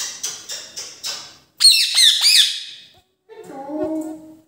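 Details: Rose-ringed parakeet, or Indian ring-neck, indoors: four soft tapping clicks lead into a burst of harsh, screechy squawks with sharp rising and falling notes, then a lower, nasal harmonic call after a short pause.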